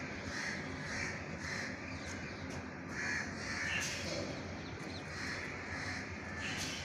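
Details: Crow cawing while being given food, harsh nasal caws repeated in quick uneven series, roughly two per second, over steady outdoor background noise.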